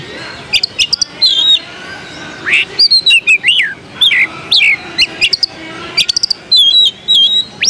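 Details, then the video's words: Contest magpie-robin, Pringgodani type, singing at the Jakarta Cup 2015: a varied mix of piercing high chips, looping whistles and buzzy slurs, plus a long, thin sustained whistle near the end, over a constant low hum. "Suara Kacer Pringgodani"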